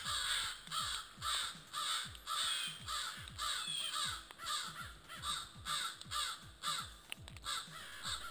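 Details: A family of crows in thick morning fog at the forest edge give harsh, rasping caws in a rapid, steady series, alarming at a coywolf (coyote-wolf hybrid), recorded by motion-activated trail camera.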